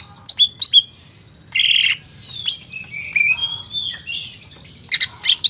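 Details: Greater green leafbird, market bird, with a mimic-like varied song: sharp whistled chips, a broad harsh buzz, long sliding whistles and more high chips at the end.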